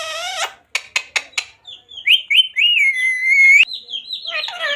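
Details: Pet parrot saying the words "Radhe Radhe": a harsh, voice-like phrase of clipped syllables, four short rhythmic bursts, then a run of sliding whistles that rise and fall before ending in a raspy note.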